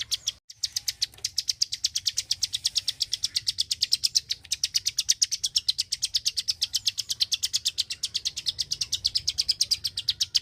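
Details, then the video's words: Very active singing Klik-klik bird from Indonesia: dense high clicking, close to nine notes a second, after a brief pause at the start, then sustained without break for about ten seconds. "BURUNG KLIK KLIK SUPER GACOR,TEMBAKAN SUARANYA BIKIN MELONGO"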